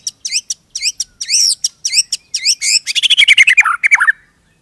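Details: Kept white-rumped shama singing a fast, varied run of bright chirps and rising whistled notes, ending in a rapid descending trill; no other sounds.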